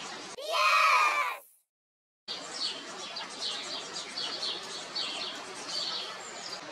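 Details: Great tit (Parus major) nestlings in rural France, fed by a parent, keep up a dense, high, hissing chorus of rapid begging chirps, after a loud cry and a brief silence at the start.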